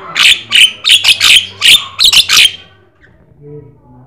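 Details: Black-winged starling (jalak kebo, jalak sungu) in gacor song meant as a master for other birds: about eight loud harsh squawking bursts in rapid succession over two and a half seconds, then near quiet.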